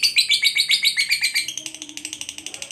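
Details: Kept lovebird for training pet birds: loud, rapid, grating chatter of high pulses that softens and quickens toward the end.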